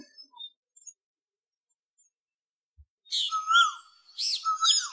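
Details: Asian Koel heard after a quiet start, giving two clear whistled notes in quick succession, with sharper high-pitched chirps from other birds over them.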